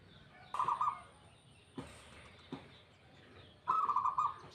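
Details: Local zebra dove singing: two bursts of rapid, rolling staccato coos at a steady mid pitch, each lasting about half a second, separated by quiet gaps with a few soft clicks and knocks.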